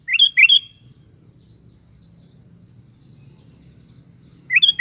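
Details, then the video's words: Sooty-headed bulbul (kutilang) singing: two short bursts of bright, slurred notes rising and falling at the start, a long quiet gap with low hum, then another burst at the very end. "SUARA BURUNG KUTILANG"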